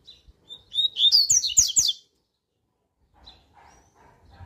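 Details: Coleiro (double-collared seedeater) singing a strong, fast 'tui tui' style song used as a warm-up recording: a rapid burst of high, sliding whistled notes lasting about a second and a half, then near silence with faint low background chatter.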